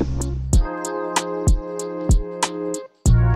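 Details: Rhythmic music with plucked strings and a steady drum beat, and no animal sounds.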